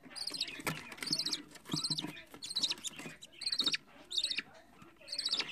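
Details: Fourteen-day-old budgerigar chick bred indoors as a hobby, giving rhythmic rasping squeaks roughly every three-quarters of a second, with soft clicks and rustling underneath.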